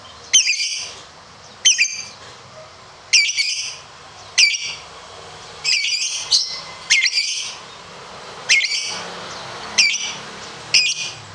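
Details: Lovebird of the competition type in ngekek style: short, harsh, squawky high bursts repeated roughly every second or so, some doubled.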